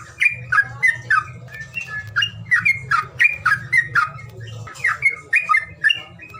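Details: Bird calls used as a calling sound: rapid, irregular series of sharp chirping, slurred notes, about three per second, with a low hum beneath.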